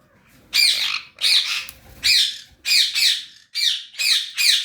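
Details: Adult pair of pet sun conures giving loud, harsh, screeching squawks, six to seven rough bursts spaced under a second apart, each noisy and broad, with faint low background hum.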